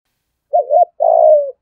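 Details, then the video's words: Decoy spotted dove in the 'giọng thổ' voice. A single phrase: a wavering double coo, then one long smooth croon that slowly falls away. "Chim Cu Mồi giọng thổ Bài Bản thúc + gù + gáy Gọi đủ bài"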